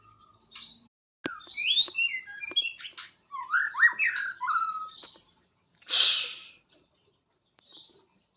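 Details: White-rumped shama singing a varied run of quick whistled notes, rising and falling slurs and short chirps in bursts, with a loud hissing rustle near the end and brief pauses between phrases.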